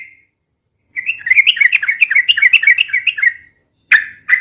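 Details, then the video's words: Trucukan, the sooty-headed bulbul, singing a fast, long noisy song meant for luring and tutoring: a brief opening note, then a quick bubbling string of warbled notes, followed by two sharp burry calls. "SUARA BURUNG TRUCUKAN RIBUT UNTUK PIKAT DAN MASTERAN ,SUARANYA ROPEL DAN PANJANG"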